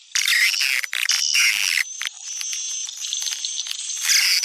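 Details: Swiftlet attraction call popular in Sumatra: loud dense high twittering at first, easing into a softer steady chatter with a faint thin whistle, then swelling again at the end.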